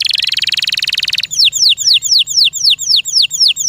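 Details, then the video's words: Canary kept as a pet sings a fast buzzy rattle lasting over a second, then a slower sequence of clear falling whistles repeated steadily. "O LORD, THE SOUND OF THE CANARY BIRDS Can Make Your Heart So Happy"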